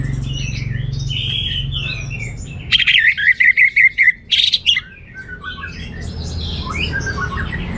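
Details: Teler-style song of an orange-headed thrush with plentiful material: soft scattered twitters, then a loud two-second run of fast, rising and falling whistled notes, followed again by faint chirps and hum.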